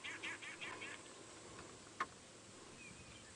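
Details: Wild Arrow-marked Babblers perched atop a tree at sunrise on 17 November 2016, Djuma Game Reserve, South Africa, give a quick series of harsh, nasal chattering notes, several per second, fading after about a second. A sharp click and a faint thin whistle follow.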